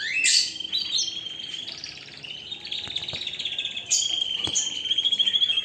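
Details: Canary song with a sharp high burst, then a long sustained warbling line broken by short notes, ending in a quick rattling trill.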